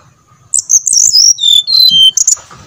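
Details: Brown-chested jungle flycatcher song used as a lure to provoke kept birds into singing. A bright, high whistled phrase of clear, sliding notes that step downward, ending in a short, sharp flourish.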